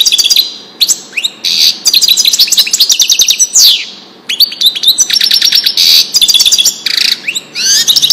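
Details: Wedani-style goldfinch song recorded to tutor chicks: near-continuous lively twittering with quick rising slurs, trilled runs and a sweeping downslurred whistle, in several closely spaced phrases.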